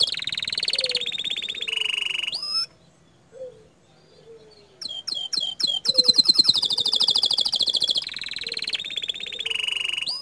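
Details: Green canary tutor song, its 'tembakan' said to stir other canaries: alternating fast buzzy trills at shifting pitch, a sharp upswept whistle, a hushed gap, crisp staccato notes, a loud high rattle, then more rolling trills.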